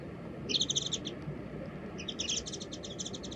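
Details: Japanese white-eye filmed with a compact camera during a birdwatching walk, giving two quick bursts of rapid, evenly spaced high chirps about a second apart, over a low steady background hum.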